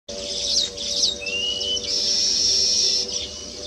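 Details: Male Baya weaver singing while weaving its nest: a few sharp, high chirps and a rising whistle, then a long, thin, wheezy buzz lasting about a second, over faint low hum.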